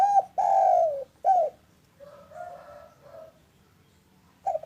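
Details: Spotted dove of a local strain, recorded calling in the afternoon for use as a lure that gets quiet doves calling. Rich, resonant cooing: a brief note, a long falling coo, then a short one, followed by fainter gentle coos and a closing loud note.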